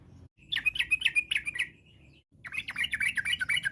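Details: Chatty Yellow-vented bulbul song meant to prompt other bulbuls to reply, in varied 'ropel' style: quick bubbly notes at about four per second, a brief thin drawn-out tone, then a second rapid warbling phrase.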